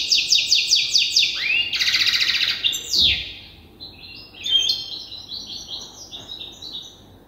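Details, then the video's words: European goldfinch hybrid youngster at the song-learning stage, tutored by an older hybrid. It delivers fast repeated metallic notes, a rising sweep and a buzzy burst, then a softer, fragmented tinkling twitter. "تغريد هجين الحسون لازال في مرحلة الحفظ"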